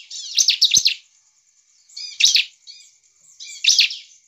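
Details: Bar-winged prinia singing to stir rival prinias into song: three short bursts of rapid, high, strident chirps, spaced about one and a half seconds apart, with a faint thin high trill lingering between them.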